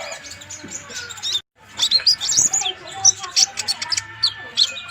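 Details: Van Hasselt's sunbird (Leptocoma sperata), the konin, singing energetically for use as a tutor recording: bright high chirps and twittery bursts, briefly cut by a silent gap, then resuming in quick irregular runs.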